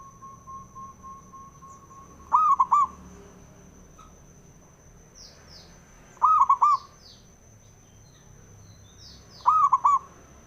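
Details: Cooing of a male zebra dove, played to provoke rival doves to sing: three short staccato cooing phrases roughly four seconds apart, after soft pulsing notes, with faint high chirps from other birds and a constant high tone.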